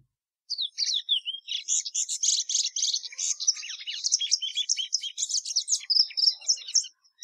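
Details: Sustained song of a plumbeous seedeater: after a few descending whistled slides, a long unbroken torrent of fast chirps, trills and buzzy notes continues for about six seconds.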